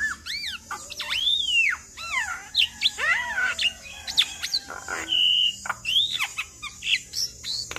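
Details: Javan myna pouring out imitation-rich song intended to make other mynas reply: looping whistled slurs, high chirps, a flat sustained whistle, and brisk chips in a continuous varied sequence.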